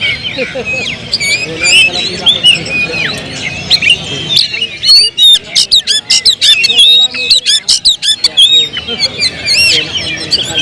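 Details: Oriental magpie-robin song: a busy stream of whistles, harsh squawky notes and rapid clicks. Loud short phrases are separated by tiny gaps in the second half.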